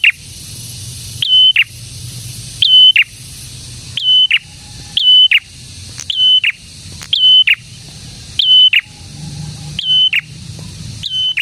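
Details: Singing prinia meant to lure others and spur silent prinias to respond; a long run of about nine piercing level whistles, each introduced by a rising flick and ending in a buzzy fall, at irregular spacing.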